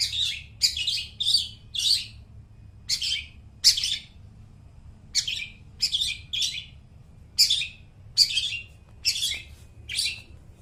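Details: Long-tailed shrike singing loudly and clearly, played to train mute shrikes: harsh, rasping high notes delivered singly or in pairs and triples, separated by pauses of about half a second to a second.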